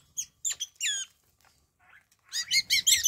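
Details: Wattled starlings in a Namibian garden, a flock that comes every morning. A few separate squeaky notes and a falling whistle are followed by a rising burst of rapid, chattering high notes with a faint low rumble.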